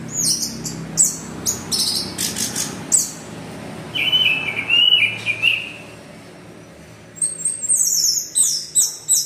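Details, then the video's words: Anis merah, or orange-headed thrush, singing 'teler' style as a lure for other birds: high chirp bursts, a lower whistled warbling phrase midway, a brief lull, then rapid high trilled notes. "PANCINGAN ANIS MERAH GACOR TELER"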